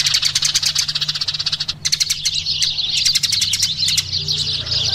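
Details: Eurasian tree sparrows calling in lively, rapid chirps, a near-continuous twitter with short pauses and a faint low hum beneath.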